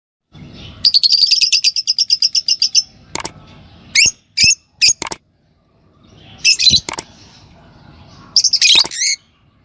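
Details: A pair of green Fischer's lovebirds, kept birds, chirping: a rapid run of high, scratchy notes, then sharp separate chips and short harsh bursts, pausing between groups.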